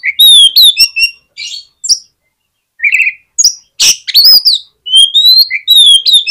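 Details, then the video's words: Oriental magpie-robin song for stirring a lazy magpie-robin to respond: loud, varied and restless, mixing clear whistles, harsh rasps and quick slurred notes in short bursts. "KACER MALAS BUNYI JADI IKUT NYAUT DAN GAMPANG RESPON DENGAR SUARA KACER INI"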